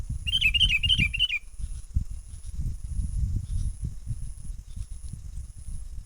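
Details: Wild sooty-headed bulbul lure call for trapping birds, 'menggaruda' style: a quick run of about six wavering, whistled notes over one second, then continuous low rumbling noise.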